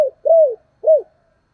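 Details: Spotted dove kept as a decoy, cooing to lure wild doves: a clipped note, a smooth drawn coo that dips at the end, then a shorter arched coo, all low and mellow.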